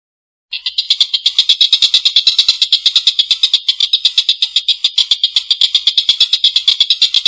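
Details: Collared kingfisher giving a long, rough laughing call: a continuous run of harsh, rasping 'kek' notes repeated rapidly at an even pace for about seven seconds after a brief silence, with no other sounds.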